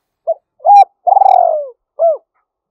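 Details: A spotted dove with a 'giọng thổ' (Thúc Đấu) song style, prized as a forest-suited decoy for trapping. It gives a brief note, a sustained coo, a long wavering falling coo and a final short hooked coo, all low and mellow.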